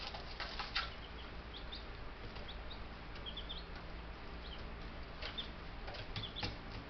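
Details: Ten Buff Brahma chicks a few days old in a homestead bird yard, May 6, 2019; sparse high peeps in short runs among clicking taps and scratching, with a low background hum.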